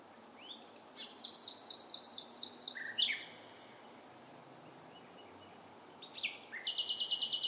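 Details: Bird song at night: a rising note, a series of repeated chirps about five per second, a sharp high flourish, silence, then a dense buzzing trill.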